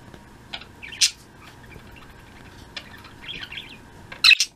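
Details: Afternoon chatter from a flock of pet budgerigars, 02.03.16: a few scattered sharp chirps, a short warbled trill in the middle, and a loud burst of chirping near the end, with quiet gaps between.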